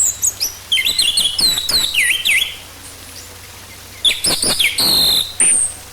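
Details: Orange-headed thrush song meant to lure a bird into singing: rapid varied whistled and twittering phrases with sharp V-shaped slurs, a pause, then another burst of mixed notes; faint low hum underneath.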